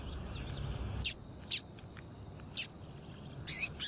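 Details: Double-collared seedeater female giving short, piercing high chirps, about five within four seconds, used to stir up males for song contests; faint distant twittering before the first note.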